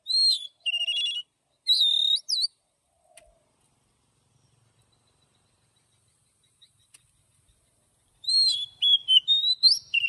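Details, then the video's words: An Oriental magpie-robin gives its morning song in a wild forest style with long notes, with loud whistled upslurs and looping phrases at the start, a long silent gap, then a fresh burst of varied notes. "Chòe than hót Giọng Rừng Đi Âm Dài cực hay"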